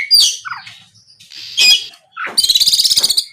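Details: Oriental magpie-robin in lively 'gacor ngeplong' song meant to make rival birds answer: harsh buzzy bursts and brief whistles, ending in a fast, regular, loud rattling trill.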